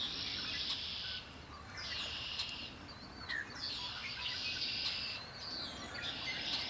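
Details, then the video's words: Birdsong by Lake Erie: repeated buzzy trill phrases about a second long with short gaps, plus scattered chirps and slurred whistles from other birds against a low rumble. "Birds singing by Lake Erie"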